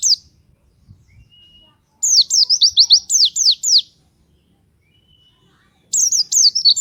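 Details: Pleci, or white-eye, in gacor, nembak song meant to set other white-eyes singing: three short bursts of rapid, very high, descending whistled notes, separated by quiet gaps of a few seconds.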